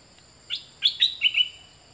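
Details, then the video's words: Two birds recorded in 2020 for teaching youngsters to sing: a short phrase of four or five bright notes, the first ones sharply rising, the last pair a flat clear whistle, backed by a steady high-pitched tone. "เสียงนกดอกแตงเจ้าเพชรกับเจ้ามณี เสียงใหม่ล่าสุด2020ไว้สำหรับต่อ ใช้หัดลูกนกให้ร้องตาม"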